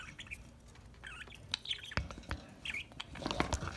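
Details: Several pet budgerigars chirping and singing while playing and enjoying a corn treat; short warbled, twittering chirps come in scattered bursts between sharp clicks and tapping from pecking at food.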